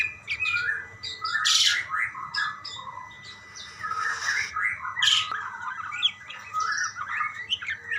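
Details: Budgerigars calling back and forth to each other: dense, overlapping chatter of short chirps, squeaky notes and warbled phrases, steady throughout, over a faint low hum.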